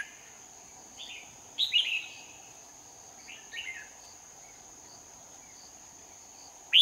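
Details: Red-whiskered bulbul singing at a trapping site in Hoa Binh, Vietnam, 18 November 2019. Faint scattered notes build into a louder burbling phrase around two seconds, a softer one near three and a half, then a sharp note at the end, over a constant high-pitched whine.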